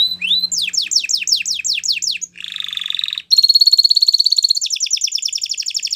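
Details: Canary training song meant for young canaries: a rising whistle, then a fast series of steep descending whistled notes, a harsh buzzy roll, and long rapid high trills with repeated pulsing notes.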